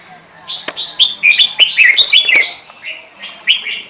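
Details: Lure recording of a chatty sooty-headed bulbul (kutilang): a rapid string of rich, bubbling whistled notes that jump up and down in pitch, thinning to a few separate warbles toward the end.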